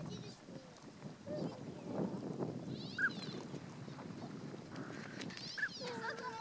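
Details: Tundra swans recorded on 1 January 2014, with adults giving two types of call and juveniles also calling: soft, nasal honks and short whooping calls over a steady murmur of flock chatter, with a few clearer, rising calls near the end.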